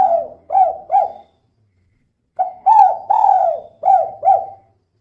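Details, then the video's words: Female spotted dove calling persistently in the 'kuk 2' style, used as a lure to prompt other birds to sing; mellow low coos, three short notes, a pause, then a longer phrase of about six notes, some drawn out. "Suara Burung Tekukur Betina Gacor Kuk 2 Untuk Pancingan Biar Cepat Bunyi"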